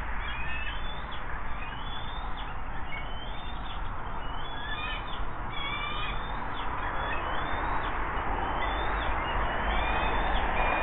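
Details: At a riverside nest in West Mifflin near Pittsburgh, Pennsylvania, on a June 2024 morning, an adult bald eagle arrives with a fish to share; rapid, uneven series of short high squeaky chirps, roughly three per second, over constant low machinery hum.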